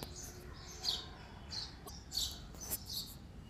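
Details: Male sparrow uttering a few high, clipped chirps at irregular intervals, with quiet background noise.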